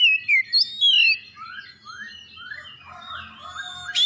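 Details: Oriental magpie-robin singing as a lure for other birds: clear falling whistles and upward flicks open, followed by softer series of short rising slurred notes and a final bright upward whistle, over low background rumble.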